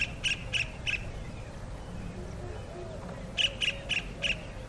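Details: A kingfisher calling to its mate gives short, sharp, high notes in two bursts: three quick calls, a pause, then four more, with a low background rumble throughout.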